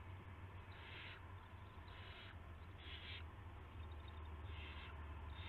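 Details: Owl at a nest before dawn, 5:20 AM on March 9, 2016, as a rat is brought to the nest: short raspy hissing bursts repeat about every second over a steady low hum.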